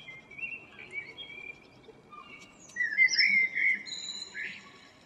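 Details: A local common blackbird's morning song, dated 02/04/2013: mellow, fluted whistled phrases that break into a thin, squeaky twitter at the end, over a faint low hiss.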